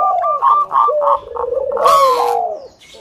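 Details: Local zebra dove, a keen singer, used to lure other doves into singing: a few short repeated coos, then a long wavering coo that slides downward, over a quieter run of higher clipped notes.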